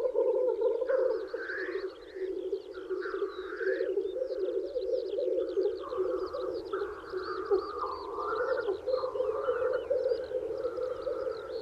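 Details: Black grouse males lekking in spring to woo females: a continuous low bubbling coo runs throughout, broken by rising, hoarse, hissing sweeps at about one and three seconds and again later, with thin twittering from small birds above.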